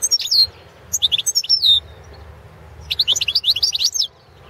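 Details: Competition recording of a Balkan goldfinch, carduelis balcanica, for a Serbian world championship in goldfinch song; loud, bright twittering in quick jangling phrases with slurred whistles, two bursts separated by about a second of quiet.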